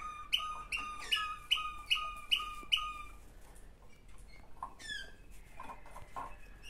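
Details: Sibling Waterslager canaries: five loud, bright, evenly spaced notes about every 0.4 seconds with lower tails, followed by quieter scattered chirps and soft low notes.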